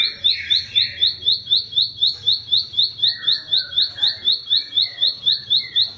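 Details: Bar-winged prinia delivering its training song for cage birds: a long, very regular string of sharp upswept chirps, about four per second, with faint whistles and chatter from other birds.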